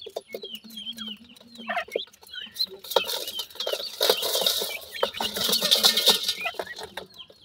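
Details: Family of grey francolins with feeding chicks, repeated high thin peeps and low clucks, partly masked in the middle by a broad hissing rustle.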